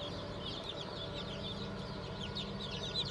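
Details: Fresh hatch of Cream Legbar, Sussex, Sultan and Fizan chicks dated 20 June 2023, many chicks cheeping together in brisk, high downward-slurred notes throughout, beneath a constant droning hum.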